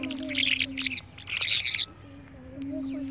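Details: Birds giving bright, high twittering chirps in three quick bursts over the first two seconds, then quieter, with a steady low droning tone running under the whole recording.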